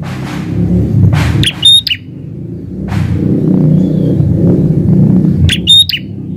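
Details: Actively singing prinia in a garden gives two brief bursts of piercing, tinny chirps about four seconds apart, set against constant low rumbling noise and a few soft rushing sounds.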